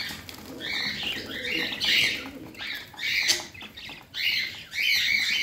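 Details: Pet parrot producing rapid, raspy chirped phrases in several separate bursts, each rising and falling, with faint cooing in the background.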